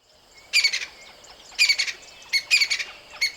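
A crested francolin gives harsh, grating rattled phrases in short bursts, four in quick succession, with a thin whistle between them and a quiet outdoor background.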